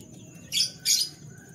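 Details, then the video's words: Canary in a cage in the morning: two short, bright, high chirps about a quarter second apart, with a steady faint high tone and low background hum. "Canary Bird Sounds"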